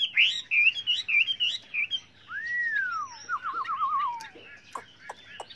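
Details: Varied song of a Chinese hwamei, used for training other birds: choppy whistled notes, then a long rising-and-falling slur that breaks into a wavering trill, ending in sharp clicks.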